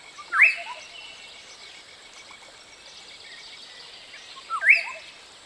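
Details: Green-headed Oriole (Oriolus chlorocephalus) song: two short, liquid, rising whistled phrases about four seconds apart, over a steady background hiss.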